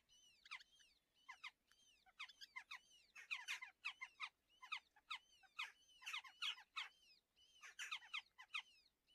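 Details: Red-footed falcon chicks, a pair of young in a nest at a wild breeding colony near Hortobágy, Hungary, calling during breakfast feeding on June 21; insistent shrill, falling squeals in quick clusters, growing louder and more crowded midway.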